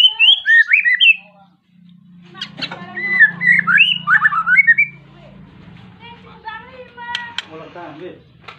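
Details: White-rumped shama (murai batu) singing persistently to call a rival, used as a lure to provoke other shamas to sing: loud, varied whistled phrases, rising and falling, in quick bursts, then softer chattering notes over a low steady hum.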